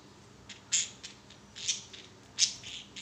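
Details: Pet budgerigars playing on a swing give short, sharp high squawks and clicks at uneven intervals, some louder than others, over a quiet background hum.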